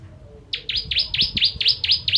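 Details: Bar-winged prinia (ciblek, Javan prenjak) from Indonesia, in the 'kristal tembakan pedas' song style used to tutor other songbirds: a quick series of eight sharp, downward-sweeping whistled notes over faint low rumble.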